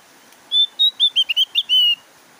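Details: A Javan grey-throated white-eye sings a quick run of about eight clear, high whistled notes, some steady and some bending downward, over faint hiss; the recording is meant to prompt reluctant captive white-eyes to sing.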